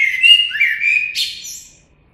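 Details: Short blackbird phrase of mellow, slurred whistles stepping down then up, closing with a brief high squeaky flourish before fading out.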